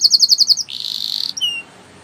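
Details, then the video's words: Short burst of canary training song: quick pulsed notes, a buzzy roll, and a single drawn-out whistle, then quiet. "Canary singing Bird Sounds At Its Best | Melodies Canary Bird Song"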